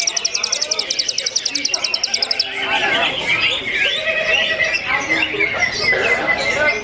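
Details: Simulated songbird contest full of greater green leafbirds: a rapid, regular high trill of sharp notes for about two seconds, then a dense jumble of warbled, chattering phrases and a drawn-out whistle.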